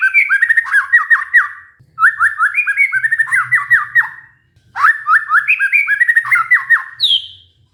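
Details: White-rumped shama lure song to coax a stressed murai batu into singing: three rapid, rolling phrases of falling chirps, each lasting about two seconds and separated by brief gaps, ending on a high sliding whistle.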